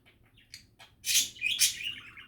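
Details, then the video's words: Pet budgerigar sounds: a few soft, scattered chirps, then two loud harsh squawks, followed by a trailing descending warble. "Happy and relaxing budgie chatter"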